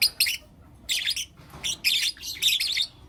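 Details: Morning chirping from young lutino lovebirds, four pet birds together: rough, buzzy high chirps in quick clusters, about five bursts in three seconds.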